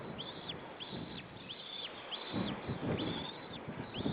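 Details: Single White-tailed eagle chick in its nest in Estonia, 25 April 2013: thin, high whistled peeps, each arching up then down, repeated roughly every half to three-quarters of a second over low rumbling background noise.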